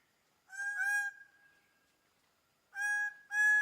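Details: Greater bird-of-paradise giving loud, nasal, honking calls with rich harmonics: one drawn-out honk followed by a pause, then two shorter, forceful honks close together near the end. No other sounds heard.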